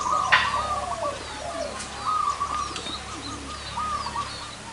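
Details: Zebra doves with big and small voices together at one location, several birds overlapping in rapid rolling trilled coos, repeated phrase after phrase, with softer lower coos beneath and a brief sharp noise early on.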